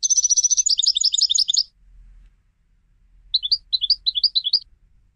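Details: A European goldfinch trained for song competitions sings a fast, high, tinkling twitter, then pauses briefly before a second, slightly lower burst of liquid chirps.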